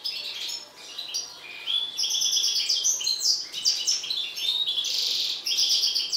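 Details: Agitated mutant European goldfinch singing: a loud, rapid, tinkling twitter of bright chirps and short buzzy notes, delivered in quick bursts with brief pauses and no other clear sounds.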